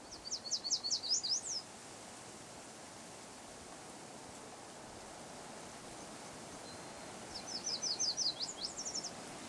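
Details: Eastern Kingbird at Nicola Lake near Merritt, British Columbia, on June 25, 2012: two bursts of rapid, high, sputtering twittered notes, each a quick series of about eight sharp zigzag notes, separated by several seconds of steady background hiss.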